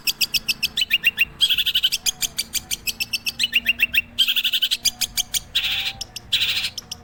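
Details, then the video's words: Long-tailed shrike song: rapid series of sharp high ticking notes, short descending slurred phrases, and dense buzzy rasping bursts, delivered in fast alternating bouts. "INI BARU CENDET SUPER MEWAH BOLO"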